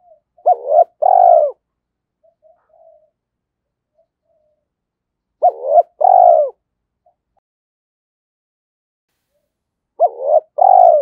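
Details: Spotted dove calling in the Vietnamese 'giọng thổ' voice, played to get decoy doves cooing. Three phrases are spaced about five seconds apart, each a pair of short hoots and then a sustained deep coo, with faint murmurs in the gaps.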